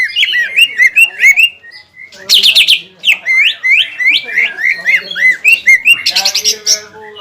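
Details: Greater green leafbird in full song, used to provoke a rival leafbird back into aggression after moulting: loud, quick run of whistled, curling notes, some rising and some falling, broken by short pauses and bursts of sharper, higher chips.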